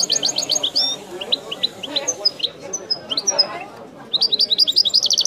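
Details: European goldfinch song, bird known by the local name widani, a prized singer: rapid high twittering trills and buzzy notes, a pause of scattered sharp chirps, then a fast ringing burst of repeated notes.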